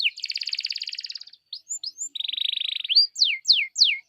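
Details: Canary song used to prompt other canaries, with two long rolling buzzy trills separated by brief whistled slurs, ending in three loud sharply descending whistles.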